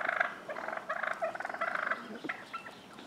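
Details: Fighting wild turkey toms in a neighbourhood street and front yard in Willits, Mendocino County, California. Dense gobbling runs in overlapping rattling bursts for two seconds, then fades into scattered softer notes.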